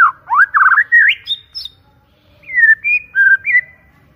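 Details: White-rumped shama singing a loud lure phrase: rich, warbling whistles that rise in a scramble to a high note, silence, then smooth descending and rising whistled notes.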